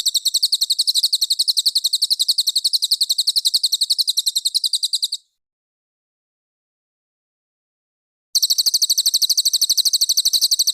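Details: Cililin master song for training competition birds, described as dense, clear and sharp. Rapid high, thin chirps repeat in a steady stream, break off into a few seconds of silence, then resume just as fast.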